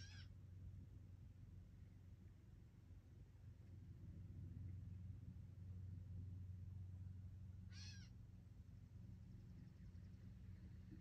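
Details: Gray catbird giving two short, cat-like mewing calls, one at the start and one near the end, each a slurred downward-arching nasal note, over a steady low hum.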